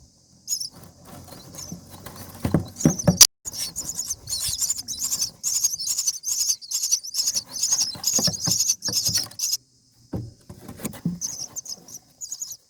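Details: Seven-day-old common myna chicks fed in the nest: rustling and a loud knock, then a long run of rapid, grating high-pitched begging rasps before quieter shuffling.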